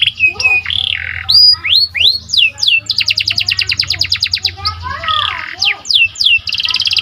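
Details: Active singing from a symmetric panda canary, used to arouse other canaries. Varied phrases of swooping whistles, harsh chattering notes and a rapid even rattle, with a faint low hum beneath the loud, high song.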